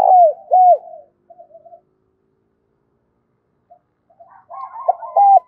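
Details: Spotted dove's loud, resonant 'thúc bổi' challenge coo: clear hooked, falling notes at the start and end, with quieter muttering, rough notes in between.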